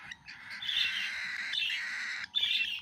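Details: Baby cockatiel calling while eating food: harsh, raspy squawks in long buzzy bursts, with a short gap before a final burst.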